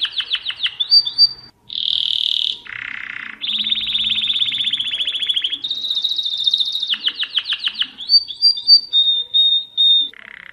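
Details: Mosaic canary in full song, changing tours quickly: descending slurred notes, a steady high tone, a buzzy low roll, long trills at two pitches, then bouncing repeated notes and a whistle.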